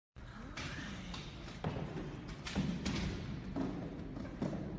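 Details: Dull thumps and taps sound at irregular intervals over low rumbling noise, with no animal call to be heard.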